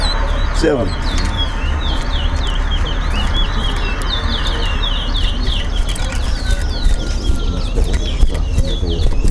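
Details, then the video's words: Chestnut-bellied seed finch, known locally as towa towa, singing at a bird whistling competition in Linden: a fast series of short high whistled slurs and upswept notes, repeated steadily over a constant murmur of crowd noise. "TOWA TOWA BIRD WHISTLING COMPETITION"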